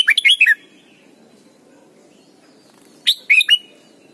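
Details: Red-whiskered bulbul from Thailand singing a lesson song for young birds: a quick run of four or five warbled whistles, a pause of over two seconds, then another similar rapid phrase.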